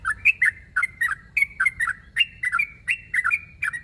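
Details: Rapid paired bubbly notes from a sooty-headed bulbul calling to a rival, each phrase a quick liquid dip and rise, repeated about twice a second.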